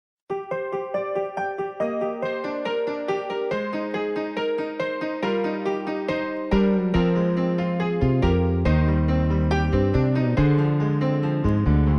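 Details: Electric piano music plays throughout, with repeated chords and a fuller bass from midway, and no animal sounds.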